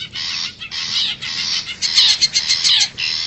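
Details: Long-tailed shrike from the forest, recorded as a lure for wild birds: rasping bursts, then a rapid run of sharper, squeakier notes before the harsh grating returns.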